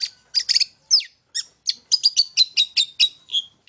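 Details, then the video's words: Long-tailed shrike song meant to provoke other birds to sing, from a bird perched in one place: harsh buzzy bursts followed by a rapid even series of high sharp notes. "PANCINGAN TERBAIK!!! CENDET MAIN SATU TITIK"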